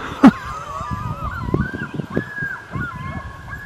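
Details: Loon family with newly hatched chicks: a steady, wavering tonal call held for several seconds, with one sharp knock near the start and a low rumbling background.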